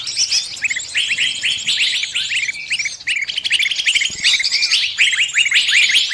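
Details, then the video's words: Bird pinched in a trap calls its companions: frantic, high chattering, fast chips repeated about two or three per second in clumps, with denser overlapping notes near the end. "Suara burung kejepit & mintatolong ke teman teman nya"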